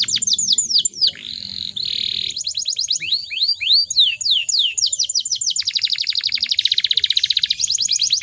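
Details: Canary song from a female in breeding condition, meant to stir other canaries to sing: rapid downslurred chips in bursts, a buzzy roll, then long runs of fast sweeping notes ending in a dense, very quick trill.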